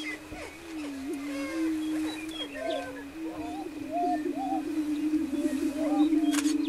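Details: Greater prairie-chickens displaying on a lek near Wray, Colorado, in April 2011, a deep, unbroken humming chorus of booms topped by scattered hooting and cackling notes and a sharp click near the end.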